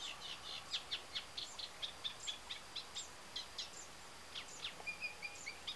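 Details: Eurasian reed warbler singing in the Tancat de Milia reserve, Sollana, near l'Albufera wetlands, late spring breeding season after return from sub-Saharan Africa: steady chattering run of grating, repeated notes, about two per second, faint background hiss.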